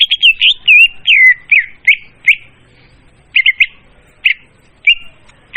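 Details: Leafbird lure song, loud and clear: a rolling warbled opening, then separate sharp chirps and double chips spaced by short gaps.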